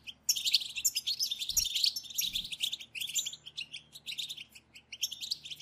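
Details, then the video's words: Group of European goldfinches in lively twittering chatter, meant to stir goldfinches into song. Continuous high, tinkling chirps and quick buzzy rattles, several birds overlapping. The notes thin into scattered sharp tweets toward the end. "بتبتة جماعية لتحفيز الحسون على التغريد"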